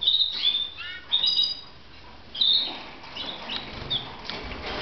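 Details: Red mosaic canaries in Moudania open with crisp, high whistled chirps. The calls then fade to fainter scattered notes over a light hiss.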